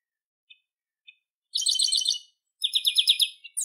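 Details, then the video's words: Chestnut-capped blackbird (garibaldi) song: two soft ticks, then a bright, rapid chattering phrase and a second, fuller burst of rhythmic whistled notes, with no other sounds. "CANTO DO GARIBALDI"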